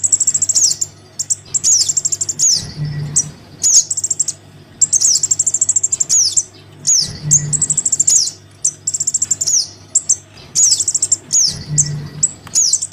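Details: Crimson sunbird chick calling for its parent, used to lure shy sunbirds down: repeated bouts of rapid, high chip trills and sharp falling squeaks, pausing every few seconds, with a steady low hum.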